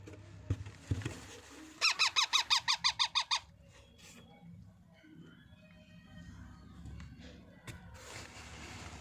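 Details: Baby parrot being fed, giving a burst of about ten rhythmic, rasping squawks in quick succession, then quieter feeding noises and faint household sounds.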